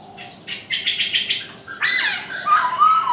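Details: Chinese francolin calling in the morning: a run of short harsh notes, then louder raspy, rough notes with falling tones close together near the end.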